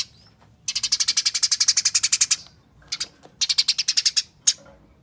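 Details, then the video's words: Eurasian tree sparrow fighting chatter, a lure to set other sparrows singing: one long run of about seventeen harsh, rapid, buzzy notes, then two shorter chattering bursts and a lone sharp note, over a quiet background. "Pancingan Gereja Tarung Nyerecet Speed Rapat Bikin Gereja Lain Ikut Bunyi Gacor"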